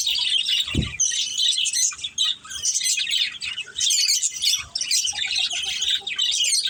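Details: Pet budgerigars kept as a family flock, chattering in overlapping high chirps and warbled twitters, with one low thump early on and short gaps breaking the steady chorus.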